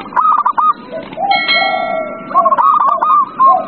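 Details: Zebra dove cooing as a lure to prompt a reluctant dove to sing, with soft rolling coo phrases interrupted by a steady ringing electronic tone before the rippling coos resume.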